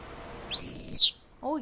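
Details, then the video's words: Hormonal pet male Senegal parrot lets out one loud, level, piercing whistle of about half a second, followed by a brief lower squawky note; a person's speech comes before it indoors. "(senegal parrot) Talking"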